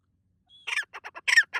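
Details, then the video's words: White partridge calling loudly in a forest in the morning as the sun rises: a thin whistle followed by a burst of harsh, raspy squawking notes in uneven groups, the final notes loudest. "The white partridge makes a loud noise in the morning forest as the sun rises"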